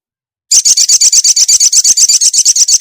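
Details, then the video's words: Female ruby-cheeked sunbird calling the male, used as a lure to make a silent bird sing: a fast, steady series of sharp, high chirps, about seven per second, after half a second of silence. "SUARA SOGOK ONTONG BETINA GACOR MEMANGGIL JANTAN"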